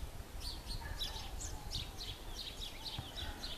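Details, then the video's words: Bushtit, a flock giving many short, high, thin chips and twittering notes repeated rapidly throughout, over low rumbling background noise. "Sastrecillo - psaltriparus minimus"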